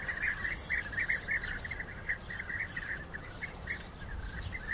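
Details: European bee-eaters during rival fights: overlapping throaty trills form a steady chorus, with a few sharp, high-pitched chirps standing out over it.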